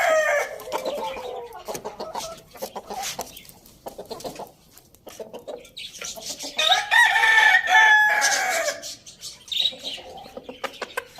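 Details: Roosters at a village farm eating tomatoes: the tail of one crow opens, followed by a stretch of quick clucks, then a second loud, sustained, harmonic crow midway before clucking resumes.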